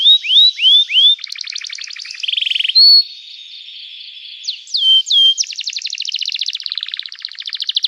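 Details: Gacor canary singing emotional cuit-cuit phrases, used as therapy to get silent canaries singing: curved whistled notes, then buzzy rattling trills, a steady tone, sharp falling slurs and a long rapid churring trill, all continuous and varied.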